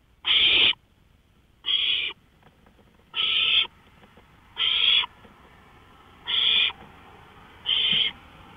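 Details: At 1:53 AM on May 5, 2013, an owl on a porch gives six raspy hissed notes about every one and a half seconds, the second and fourth slightly softer.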